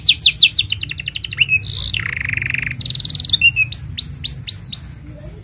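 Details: Canary master song for training young birds: quick falling chips, a loud buzzy rolled trill, a rattling high series, then a row of ringing upswept whistles, delivered without a break.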